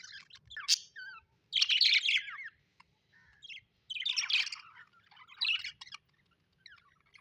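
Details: Happy pet budgerigars chattering: bursts of buzzy, warbling chirps and wavering whistled notes separated by short silences, several separate phrases over the span.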